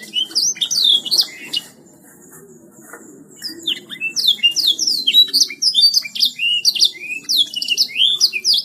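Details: Canary 'gacor' song: rapid high whistles at first, a brief hush, then an intense flow of quick, sliding whistled phrases and sharp ticks over a soft low hum.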